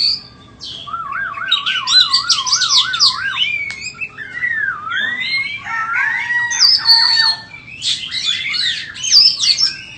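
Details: White-rumped shama, a bird being sold, delivering a varied song: a wavering warbled trill, looping whistles, then dense, rapid, high chattering phrases.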